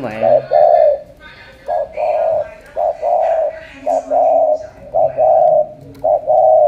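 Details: Cà Mau spotted dove giving repeated cooing phrases, each a short note followed by a longer sustained hum-like coo, about one phrase a second; brief human voice at the start.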